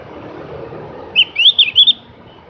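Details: Javan grey-throated white-eye, locally called opior jawa or cak gentong, delivering a short melodious run of high whistled notes, a rising slur then three or four quick bright notes, over a low murmur of background noise.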